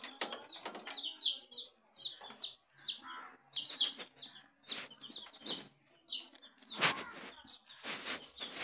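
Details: Coloured baby chickens, a brood of chicks, giving rapid high-pitched peeps that fall in pitch, overlapping callers in quick bursts, interrupted by sharp clicks and scratching noises.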